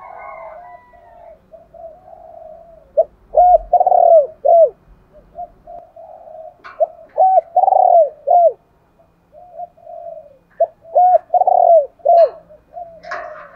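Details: Spotted dove used as a decoy to draw wild doves, giving the urgent calling style known as thúc gáy: soft murmured coos, then three loud bursts of deep, rounded cooing notes repeated roughly every four seconds.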